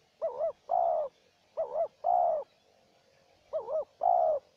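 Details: Wild spotted dove answering a decoy dove. Three phrases, each a short quavering double coo then a longer even coo, the last after a slightly longer pause. Soft background hum.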